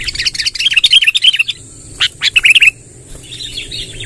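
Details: Sooty-headed bulbul, lively and vocal, in a long rolling song used to collect wild bulbuls: a fast run of bright chirping notes, a brief gap, a burst of three or four bubbling slurs, then soft distant twittering. Light hiss.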